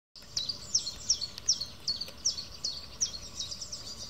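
Garden warbler singing a quick run of high, sweet warbled notes, about two or three a second, over a soft hiss of background noise.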